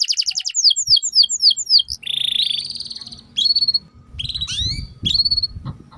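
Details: Canary in long continuous song, used to tutor young canaries: a run of down-slurred notes, a buzzy nasal warble, then chirps and quick rising and falling sweeps.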